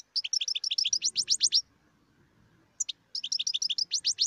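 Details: Wild European goldfinch delivering long, rapid, rhythmic strings of high tinkling notes, with a short gap filled by faint low rumbling before the twitter resumes.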